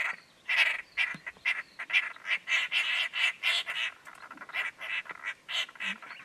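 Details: Lilac-breasted Roller, an African savanna bird, giving harsh, rasping call notes repeated in rapid irregular bursts, roughly two to three per second, broad and grating in tone.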